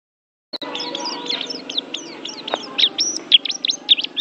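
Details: Oriental white-eye (pleci) from Banten, called an Asian champion singer: a rapid, high, jumbled twitter of thin chirps and short slurred notes that grows louder and busier toward the end, over a faint low hum.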